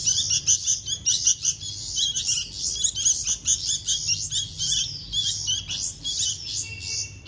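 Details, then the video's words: Hand-fed bulbul chicks beg loudly, a dense run of shrill, raspy chirps tumbling over one another in quick bursts, with faint lower squeaks beneath. "Hand Feeding Baby Birds - Bulbul Birds"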